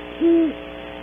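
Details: A great horned owl from a pair visiting a cavity in the early morning at Audubon Starr Ranch, California, gives a single low, steady hoot of about a third of a second over a faint background hum.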